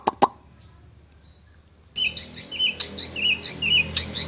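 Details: White-rumped shama, played to stir a kept bird into eager singing. After two sharp clicks and a near-silent pause, a quick stream of high, sweet chirps and twittering phrases runs continuously to the end over a faint low hum.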